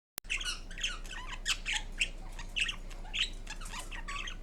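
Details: Pet green Indian ringneck parrot indoors making varied sounds: a run of short harsh squawks and chattering notes, bursts roughly every half second, in a small quiet room.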